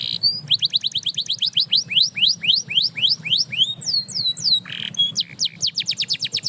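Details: Canary singing to inspire other canaries to sing again: a fast series of high rising slurred notes, then clear downward-sweeping whistles and a brief buzzy burst before another quick run of rising notes, with a low hum underneath.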